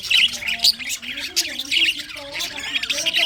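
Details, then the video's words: Many budgerigars chirp and squawk together in winter, sharp high notes bursting over a continuous twittering background, with a low wavering tone running underneath. "winter session Budgies parrot chirping sounds"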